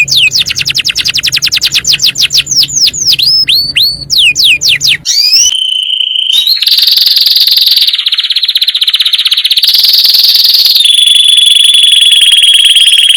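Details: Master canary, said to be calling friends and fighting: fast repeated falling notes over a low hum, then long, pure sustained whistles and dense high rolls.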